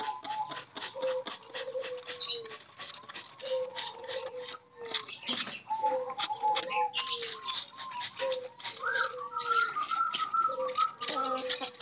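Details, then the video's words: Group of caged, wild-caught spotted doves under daily care to encourage calling: low, soft coos drooping in pitch, repeated about every one to two seconds, over a dense background of sharp high chirping and some flapping. "perawatan harian derkuku ombyokan agar cepat gacor"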